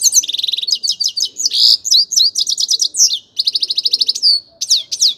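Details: Loud, unbroken song of a grey-crowned goldfinch: quick series of sharp, high, tinkling notes, buzzy rattles and clear upslurred whistles, delivered in short bursts with tiny pauses.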